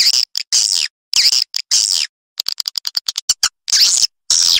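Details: Edible-nest swiftlet calling sound for attracting swiftlets into a private nesting house; harsh buzzy high bursts alternating with a fast run of sharp clicks, roughly a hundred per minute.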